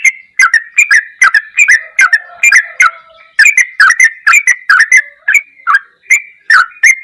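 A sooty-headed bulbul gives a lively run of short, bubbling whistled phrases, about two or three a second, rising and falling around a bright mid pitch.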